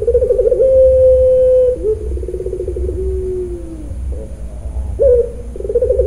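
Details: Crying-style "nangis" coo of a puter pelung dove at a Kroya, Central Java bird farm: a long smooth held note, then a buzzy pulsed stretch falling slowly in pitch, and a new trilled onset, with low hum behind.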